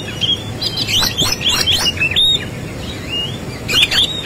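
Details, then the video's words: Oriental magpie-robin in fighting song with a rich fill of imitated phrases: a fast string of bright whistles and buzzy trills for two seconds, a pause, then a clipped whistled flourish. "Kacer gacor tarung isian mewah"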